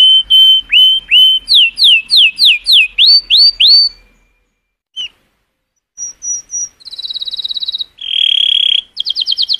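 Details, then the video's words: Song of a Color Canary meant to stimulate females. About ten sweeping whistled notes climb steadily in pitch. After a pause come a few thin notes, then a fast high trill, a harsh buzzy phrase and a final rapid trill. "Cheerful Color Canary Singing Joyously part 2 | تغريد كناري رائع، لتحفيز الإناث"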